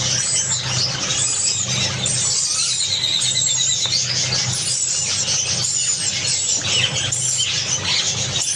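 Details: A pair of Java sparrows (Padda oryzivora), tame axe-type birds from Malaysia, keep up a dense, overlapping stream of high, squeaky chips and twitters with no pause, over a low steady hum; finding: Java sparrow.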